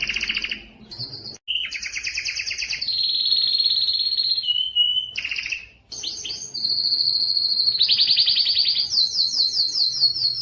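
A Timbrado canary sings a continuous string of rolling trills and metallic, sustained tours, switching between high and mid pitches every second or two without pause.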